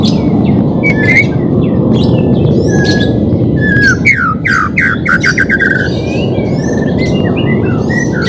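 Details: White-rumped shama singing as training for a bird reluctant to sing: varied whistles and chirps, then a series of about eight loud descending slurred notes, under heavy steady background noise.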